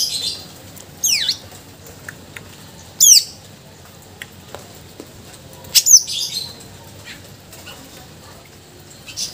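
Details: Greater green leafbird singing energetically, displaying mimicked filler phrases, used to tutor and stimulate other birds; three sharp, very high downward-sweeping notes spaced a few seconds apart over quiet background.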